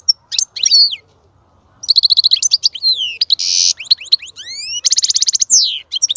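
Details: European goldfinch song meant to stimulate a female to mate and breed: loud, fast twittering with buzzy rattling trills, rapid rising sweeps and sharp chirps, broken by a short silent pause near the start.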